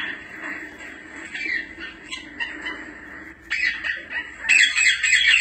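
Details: Grey parrot, also called African grey, calling; harsh squawks and whistled notes around the upper-middle range, building to louder, dense screeching bursts near the end.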